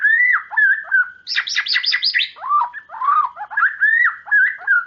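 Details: White-rumped shama in lively gacor song, used to coax silent or young birds into singing: loud rich whistled phrases rising and falling, broken midway by a fast burst of buzzy stacked chattering notes, then more slurred whistles.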